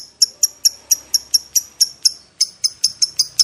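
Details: Lovebird used as a lure to provoke other lovebirds: sharp, high chirps repeated steadily about four times a second, each note bright and clipped, in a quiet setting.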